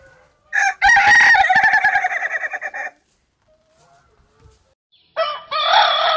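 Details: Rooster giving an unusual, funny 'laughing' crow: a loud harmonic cry that breaks into rapid stuttering pulses for about two seconds, then a pause and a second strong crow starting near the end.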